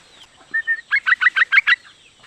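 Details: Female yellow-vented bulbul calling a male: two soft lead-in notes followed by six rapid, sharp chattering notes in a tight row.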